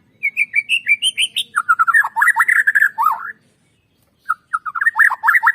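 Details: Murai batu, the white-rumped shama, in a lure recording intended to make birds sing: loud fast series of varied whistles and slurred notes, a short break, then more rapid rich phrases.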